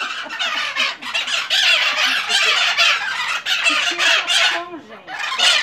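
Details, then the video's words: Maitaca parrots making a racket at a house in Santa Maria Madalena, Rio de Janeiro, Brazil, on 26 January 2014: dense, overlapping harsh squawks and screeches from many birds, almost continuous with brief dips. "MAITACAS FAZENDO ALGAZARRA"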